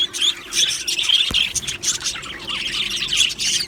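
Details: Colony of Australian budgies in an aviary chirping together: dense overlapping warbles and squawky chatter, high and busy, with short bursts piling up continuously and no quiet gaps.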